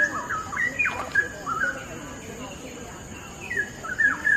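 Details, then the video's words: Straw-headed bulbul song: loud, clear whistled notes and short warbled slurs, bursts at the start and again near the end, with a quieter pause between. "indahnya kicau burung CUCAK RAWA"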